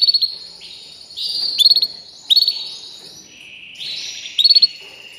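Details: Canary song of rapid rolling tours, each buzzy high trill sliding into the next, punctuated by quick sharp pulsed bursts roughly every second.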